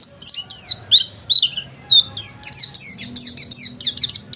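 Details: Home-kept white-eye singing persistently: rapid high chirps and twittering notes, sliding downward slurs and short whistles, delivered in quick bursts with brief gaps, over a faint low hum.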